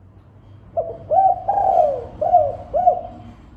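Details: Lure call of a spotted dove over a low rumbling background hum. The phrase runs short coo, short coo, a long downward-sliding coo, then two more short coos.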